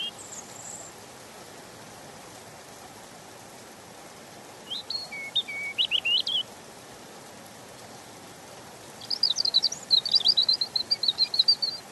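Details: Short bursts of European robin song separated by silence: first a brief faint high note, then a jerky phrase of sliding whistles, later a rapid, bright trill of repeated high chips.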